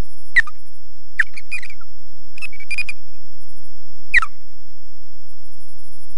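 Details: An osprey defending its nest at Loch Garten gives sharp whistled alarm calls that drop in pitch, in four spaced bursts over six seconds, over a steady low rumble of wind or mic noise.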